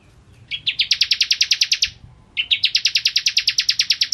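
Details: Bar-winged prinia singing vigorously, as tutoring material: two similar phrases, each opening with short lower notes and then breaking into a fast, steady trill of bright chips.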